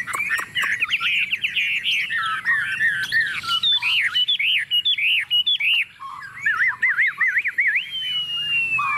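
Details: Chinese hwamei, hand-raised and tame, sings on a table: dense, jumbled whistling with harsher squawky elements at first, then rhythmic looping notes repeated in quick series and a long drawn whistle at the end.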